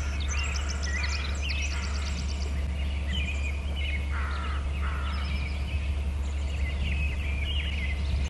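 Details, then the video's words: Two bald eagles calling around their nest territory on Hornby Island: a rapid run of high chittering notes, followed by a few sliding, downward whistles mid-way, with a constant low electrical hum beneath. "hear 2 eagles calling"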